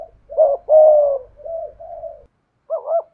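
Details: Decoy spotted dove in the 'giọng thổ' style: a double note, a loud sustained coo and softer wavering coos, then after a pause another double note, over a faint low rumble.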